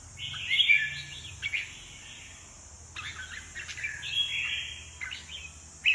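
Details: Red-whiskered bulbul displaying with spread wings on its perch: two bouts of fluty, warbling phrases separated by a pause, set against a steady high-pitched background hiss.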